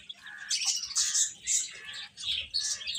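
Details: Chorus of domestic chicks, shrill high peeps in clustered bursts about every half second, several birds calling over one another.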